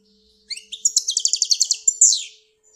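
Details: Goldfinch from Algeria giving a short burst of song: a quick rattling series of about a dozen evenly spaced bright notes, ending in a longer buzzy sweep, with a faint steady hum underneath.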